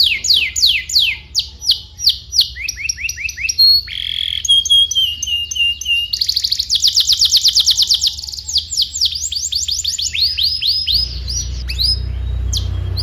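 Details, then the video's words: Varied canary song for teaching juvenile canaries: falling whistles, a brief steady tone, sharp clicks, and fast buzzy trills and rolls, with a burst of broadband noise in the final two seconds. "PANCINGAN KENARI GACOR DURASI PANJANG UNTUK MASTERAN KENARI PAUD BELAJAR BUNYI DAN GACOR"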